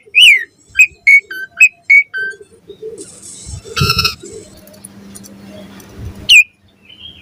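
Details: Asian pied starling in lively morning song: a quick string of short whistled notes at the start, then a burst of harsh rattling noise and a steady low hum, with one more sharp whistle near the end.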